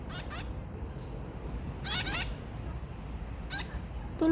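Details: Parrot feeding its babies in a tree in a park, with short harsh, buzzy calls in quick bursts, the loudest run near the middle and a brief one later, over a steady low rumble of background noise.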